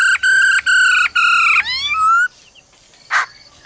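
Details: Female laughingthrush calling "ro ro" to stir a male: three loud, sustained, rich harmonic notes, then a rising slurred whistle, and one sharp click after a pause.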